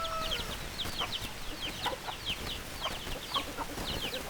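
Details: Chickens: a busy stream of high, quick downslurred peeps, several birds overlapping, with a brief tonal note at the start and a few lower short clucks.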